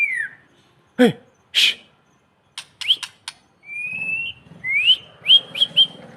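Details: White-rumped shama, called murai batu: a descending whistle, sharp clicks and snaps, then a long level whistle followed by rising whistled notes with upward flicks near the end, faint low rumble beneath.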